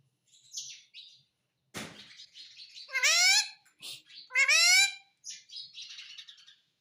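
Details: Indian ringneck parakeet kept as a pet, imitating the word "mummy": two loud, tonal, rising syllables spaced over a second apart, among soft chirps and scratchy background squeaks.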